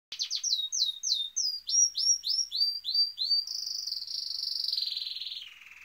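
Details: A canary sings its mating call: a quick run of high, downslurred whistled notes, about three a second, then a rolling buzzy trill that drops lower at the end.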